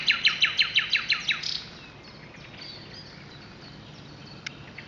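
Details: Common nightingale at Brede High Wood, 2 May 2012, delivering a fast run of about eight loud repeated chirps in under two seconds, then faint scattered notes and a sharp click.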